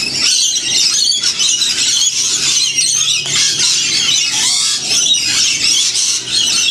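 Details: Flock of wild lorikeets getting a free winter feed near Sydney in the Blue Mountains; a constant wall of high, harsh screeches and chattering squeals from many parrots at once, with brief louder bursts.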